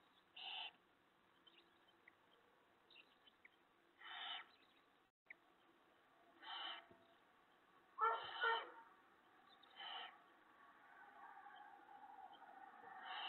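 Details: Owls at a nest where prey (mice and a rabbit) is brought to the mate and owlets on the evening of 19 March 2017; scattered harsh, breathy hissing bursts, about six spread over thirteen seconds, over a low steady background hum.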